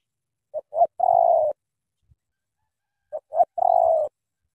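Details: Spotted dove from Cà Mau with a strong voice, cooing in the thổ tơ style. Two identical phrases are separated by a pause of about one and a half seconds. Each has two short coos and a long vibrating coo.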